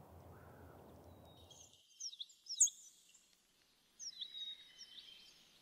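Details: American tree sparrow giving short, high, thin chirps and tinkling twitters in two bursts, following a low rumbling background noise that stops after the first couple of seconds.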